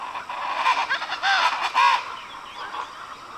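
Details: Agami heron filmed on the Pixaim River in the Brazilian Pantanal: a burst of harsh, nasal honking notes in quick succession, loudest near the middle, followed by a few fainter calls over a steady background hiss.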